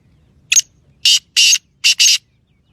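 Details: Francolin, locally called titer, in a Sindhi-style call: a short rough note followed by four loud harsh grating bursts in a quick rhythm, the last two almost joined, over a quiet background.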